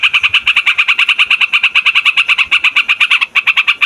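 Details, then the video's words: Trucukan, the yellow-vented bulbul, in a long, noisy rolling song used to lure wild birds: a fast, even stream of bright ringing notes, about seven per second, with a brief break near the end. "TRUCUKAN RIBUT BUAT PIKAT"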